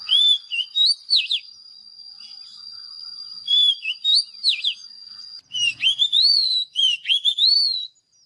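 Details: Oriental magpie-robin song: sharp swooping whistles over a sustained high tone, repeated twice, then a lively run of rising and falling whistled notes.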